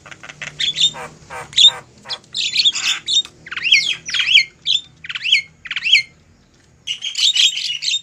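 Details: Javan myna noisy lure call for trapping wild mynas: harsh squawks alternating with rising, twanging whistled notes, a short silence, then a renewed burst of rasping chatter.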